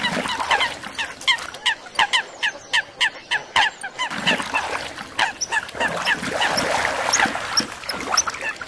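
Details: Coots fighting to establish territory and mating rights on Floating Island Lake, Yellowstone National Park: a steady run of short, honking calls repeated several times a second, followed by a denser overlapping stretch of calling.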